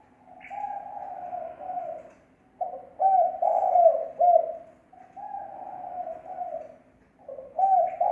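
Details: Spotted dove used as a lure, cooing with no background noise: repeated phrases of mellow, hollow coos, each opening softly and swelling into two or three stronger notes, separated by brief gaps.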